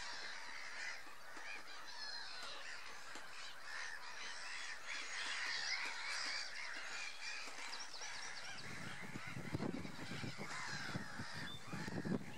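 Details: Greylag geese at Tophill Low nature reserve honk continuously in a busy flock, with other waterbird calls mixed in. Gusts of wind rumble through the last few seconds.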